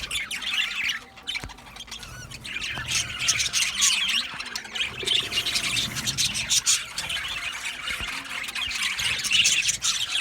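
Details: Male budgerigars recorded 8 December 2025, a colony giving dense, overlapping high chirps and squawks in constant chatter throughout, with brief dips in volume around two seconds.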